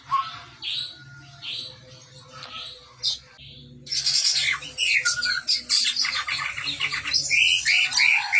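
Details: Chestnut-rumped babbler in busy song, starting with spaced squeaky chirps, then after a pause a dense, fast stream of chattering, twittering and whistled notes that builds and carries on to the end.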